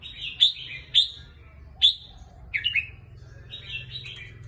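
A red-whiskered bulbul gives short, bright whistled phrases, loud separate notes and then a quicker, bubbling run, over a faint low hum.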